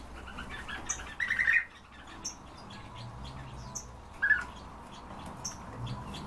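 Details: Captive European bee-eaters give a burst of rolling, trilled calls, a quieter pause, then a second short rolled call, with faint high chirps and a low background rumble.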